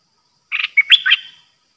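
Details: New caged decoy Streak-eared bulbul giving a pure song phrase, recorded 6 May 2022. A single warbled phrase of about a second: rapid bubbling notes, a steady whistle, then a liquid, slurred ending in quiet surroundings.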